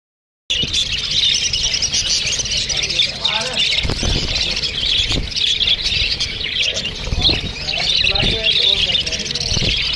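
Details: Australian parrots chirping to each other: a dense, continuous flock chatter of high, rapid twittering and squeaky chirps throughout, with a few soft low thumps in the background.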